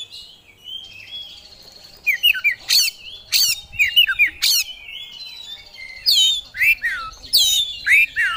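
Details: Oriental magpie-robin (kacer) in lively gacor song: thin high trilled notes, then a busy mix of slurred whistles and sharp harsh bursts, speeding up in the second half.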